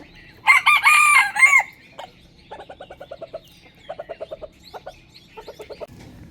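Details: Rooster in the morning, one of twenty different roosters: a single loud crow lasting about a second, then several bursts of short rapid clucks in quick groups against a quiet background.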